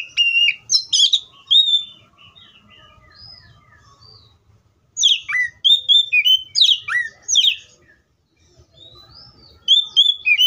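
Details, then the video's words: Oriental magpie-robin song of varied sharp whistles, rapid upward and downward slurs and chirpy bursts in two lively phrases separated by a few quieter seconds, with soft low rumble behind. "THE VOICE OF THE COPSYCHUS SAULARIS BIRD IS VERY BEAUTIFUL"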